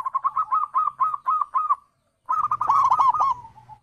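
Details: Zebra dove calling, played to coax other birds into answering: seven evenly spaced rounded coo notes, a short silence, then a louder tumbling trill sliding down into a fading tone over a faint low hum.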